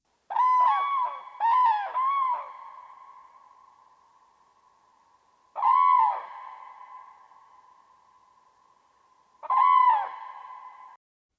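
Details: Common crane, a rare breeder in the Netherlands, gives its distinctive loud, rolling, trumpeting call, sometimes confused with whooper swan: a quick run of about four notes, then two single ringing blasts roughly four seconds apart.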